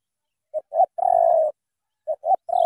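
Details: Cà Mau spotted dove giving two full thổ tơ coo phrases. Each is two brief soft notes leading into a sustained, steady, low-pitched coo, with about half a second of silence between the phrases.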